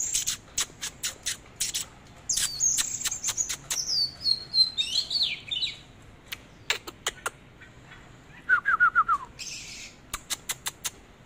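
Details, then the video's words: Oriental magpie-robin singing while dancing in display: sharp dry clicks repeated throughout, a run of high whistled notes sliding downward, and a brief rapid series of descending chirps near the end. "chòe than múa hót"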